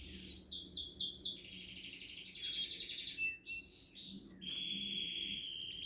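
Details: Canary singing a varied song: fast whistled rolls, a buzzy sustained trill, a brief pause, then bright sweeping notes and a long level whistle.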